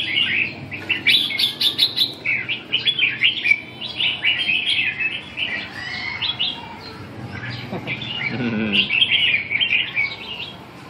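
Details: Red-whiskered bulbul, a Bình Định bird described as five seasons old, singing bright, rapid chirping and warbling phrases with quick rising and falling whistled notes, nearly continuous, with faint low background noise.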